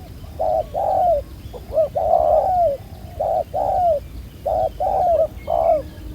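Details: Spotted dove, a wild-caught black-collared bird that coos fairly well, during decoy trapping: mellow two-part coos, a quick note then a longer descending one, repeated several times with low background rumble.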